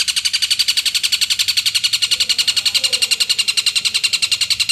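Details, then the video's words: Long-tailed shrike gives a clear call challenging rivals: harsh, buzzy, high notes in a steady chatter of about four per second, loud and unbroken throughout. "NADA SUARA CENDET JERNIH MEMANGGIL LAWAN"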